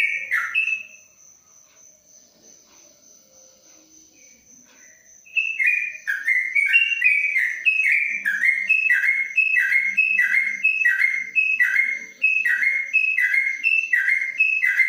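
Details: Yellow-vented bulbul in a covered cage: one short whistled phrase, about four seconds of near quiet, then a long ropelan run of evenly repeated paired whistles, roughly ninety a minute, over a thin constant high tone.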